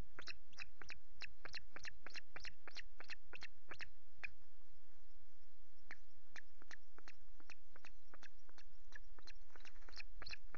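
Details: Osprey at its nest at Loch Garten on 5 July, female with chicks while the male brings two fish: a long run of short, sharp, harmonic chirps repeated steadily for about ten seconds, with a brief pause midway, over low background hum.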